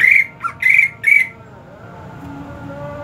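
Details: Greater green leafbird, hot season, opening with three loud harsh squawked notes separated by a brief lower chip, then quiet apart from a soft background hum.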